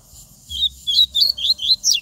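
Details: Double-collared seedeater singing strongly in the bush: a quick run of about six loud, sharp whistled notes, each sliding down then up, spaced roughly a quarter second apart, over a faint low hum.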